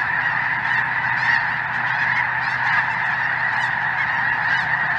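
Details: Close, loud mass of goose voices, Snow Geese mixed with Greater White-fronted Geese, crowding the sky over southern Indiana in winter; continuous overlapping honks with sharper higher yelps repeatedly breaking through.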